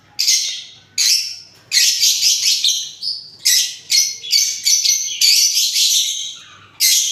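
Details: Parrots calling in repeated bursts of harsh, screechy squawks and chirps, high-pitched and bright, coming in quick succession with brief pauses between groups.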